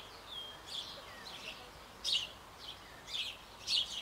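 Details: Sparrow family feeding at a Bavarian birdhouse on an old apple tree, young close to leaving the nest; soft high chirps and a thin whistle build to louder bursts of chirping toward the end.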